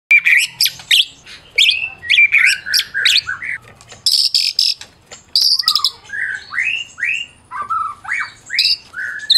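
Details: Champion Medan-type white-rumped shama singing to provoke silent shamas into song: rapid varied phrases of sharp chirps and clear rising and falling whistles, with bursts of high buzzy notes and brief pauses.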